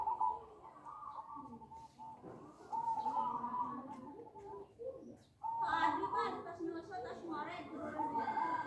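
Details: Zebra dove lure call meant to draw in other doves: mid-pitched rolling, warbled coos in irregular bursts, with a louder burst near the end and a background of voices and clatter.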